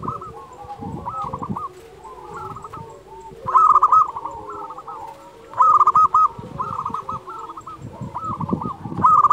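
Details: Local zebra doves singing together, meant to train doves slow to sing: repeated rapid strings of cooing notes, with louder close bursts at intervals above a steady background chorus.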